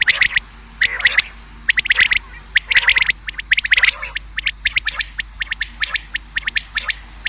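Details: Common quail call for hunting: steady series of crisp, sharp notes bunched in twos and threes, repeated roughly every second, dense at first, then more evenly spaced, over a quiet background.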